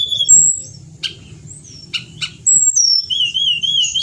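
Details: Pied bushchat, Indonesian Tledekan Gunung, singing steadily as a master recording: thin high whistles, three sharp clicking notes in the middle, then a long wavering whistled trill.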